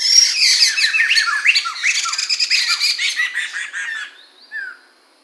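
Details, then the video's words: Chinese hwamei, Medan type, 2021: loud rapid run of varied whistles, trills and squeaky notes tumbling over each other for four seconds, then a short pause and a final falling whistle. "Suara Burung Poksay Mantel atau Medan"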